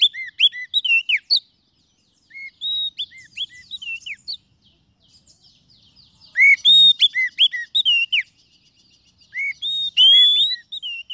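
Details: Oriental magpie-robin lure song for attracting wild birds to a trap. Bursts of loud, clear whistled notes, some rising and some falling, with sharp chirps. Bursts are separated by pauses of one to two seconds.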